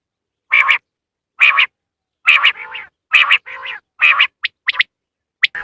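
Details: Quail call used as a lure for hunting, played at home: short, buzzy, doubled bursts repeated about once a second, some followed by lower nasal notes, ending with brief high chips. No background noise.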